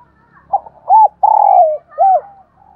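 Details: A single morning phrase from a spotted dove: soft broken lead-in notes, a rounded rising-falling coo, a long steady coo easing downward, and a last arched coo. Near silence around it.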